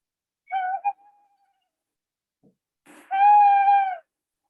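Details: Recorded tawny owl song, called far more melodious, played back: a short hoot with a brief follow-up note, a pause of about two seconds, then one long, steady, clear hoot.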